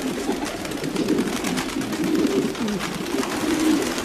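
Domestic pigeons cooing in low, throaty, rolling murmurs that overlap continuously, with a soft hiss of room background behind them.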